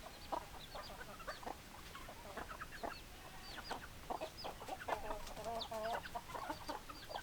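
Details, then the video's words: Several hens clucking together, a busy chorus of short overlapping clucks with occasional drawn-out wavering calls, over constant background hiss. "Chicken Sounds Noises Hens Clucking Roosters Crowing"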